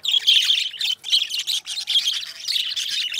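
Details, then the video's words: Pair of pet budgies singing and talking, a dense continuous warble of rapid chirps, squeaks and buzzy chatter with brief gaps about every second. "2 Hours of Budgies Song -birds sounds - Singing and Talking"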